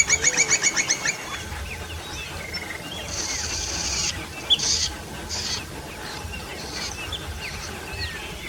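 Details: Buff-necked ibis calling: a quick burst of about eight harsh, ringing notes within the first second, followed by scattered hissing noise bursts and faint distant chirps.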